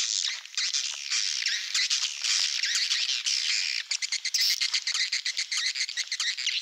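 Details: Malaysian-style swiftlet lure for Indonesian swiftlet farmers, a smooth mass of high twittering that turns after about four seconds into rapid, separate chirping pulses.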